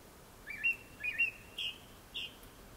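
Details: Japanese thrush before sunset singing four clear, fluting whistles spaced about half a second apart, the later ones slightly higher.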